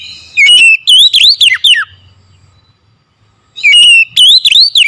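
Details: Oriental magpie-robin singing in the morning: two matching loud phrases of warbled, dipping whistles, separated by nearly two seconds of near silence.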